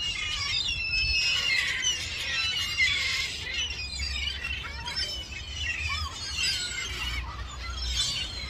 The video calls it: herring gull call